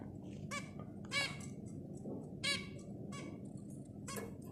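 Zebra finches give short, nasal, toy-trumpet notes in bursts over a low background hum.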